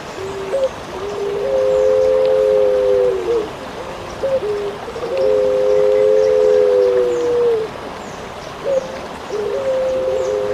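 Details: Eurasian collared dove, locally called pelung puter, in a training recording for songbird keepers: a short low note, then a long, steady, hollow coo held about two seconds, repeated about every four seconds, over faint background hiss.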